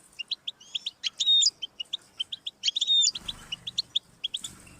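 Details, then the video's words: European goldfinch song intended to stimulate a pet goldfinch: quick repeated high chirps interrupted twice by a longer buzzy wheezing note, with a faint low rumble near the end. "Audiorecordings of the goldfinch to stimulate birdsongs"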